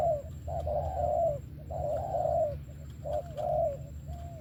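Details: Spotted dove singing in the good-voiced cooing style called thổ: deep hooting coos, a short note followed by a longer wavering one, in phrases about every 1.2 seconds, over a steady low hum.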